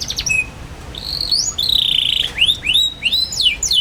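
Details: Young canary singing, a recording used to teach other young canaries to sing: high whistled notes with rising and falling sweeps, a sustained buzzy note near the middle, then a run of quick upward-curving chirps.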